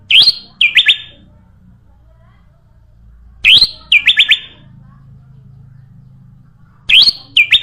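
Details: Sooty-headed bulbul song meant as a lure for other birds: a short phrase of two or three clear downslurred whistles, repeated roughly every three and a half seconds over a faint low hum.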